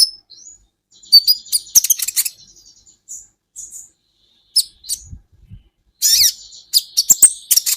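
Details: Training recording of a brown-throated sunbird (kolibri ninja) singing. Scattered short, high whistles and clipped chirps are broken by brief pauses, ending in loud, rapid bursts of shrill twittering.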